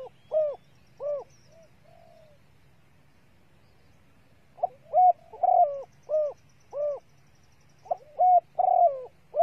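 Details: Female spotted dove calling to excite males, used as a lure: two soft arched coos, a pause with a faint drawn note, then clustered runs of hooting coos with quick short notes between, over a faint low hum.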